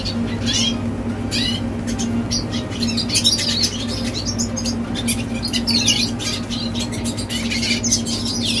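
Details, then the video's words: Song of a young red siskin: bursts of bright, high twittering and buzzy warbles come in quick phrases, with a low droning hum throughout. "Teen Red Siskin Singing - Chim Red Siskin Hót"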